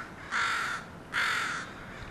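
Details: Crows, part of a group landing at a house and making a racket; two loud harsh caws, each about half a second long, separated by a short pause, over quiet background.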